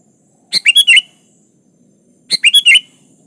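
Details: Sooty-headed bulbul calling a rival in a plain, vigorous song: two brief, slightly harsh, chattering phrases of four quick notes each, nearly two seconds apart, against near silence.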